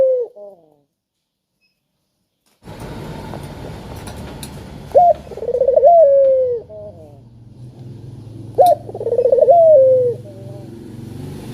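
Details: Spotted dove coos, played to stir silent doves into calling. A clipped note opens, then after a hiss of background noise come two calls a few seconds apart, each a sharp rising note, a rolling trill and a falling drawn-out coo.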